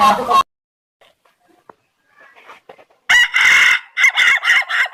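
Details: Rooster of the Indonesian Ayam Ketawa breed: a brief loud note, near silence with faint scattered sounds, then a strong harsh crow ending in a series of quick choppy laugh-like bursts.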